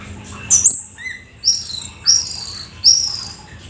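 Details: Black-winged starling, described as a rare, exotic bird, singing vigorously with full isian (a mix of learned filler phrases): sharp high whistled notes, some slurred downward, in short bursts about once a second, with low hum behind.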